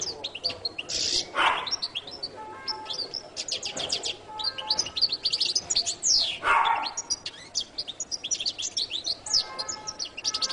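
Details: Jilguero latino song, a fast stream of high, thin chirps and twittering trills, with a few louder lower bursts interrupting it.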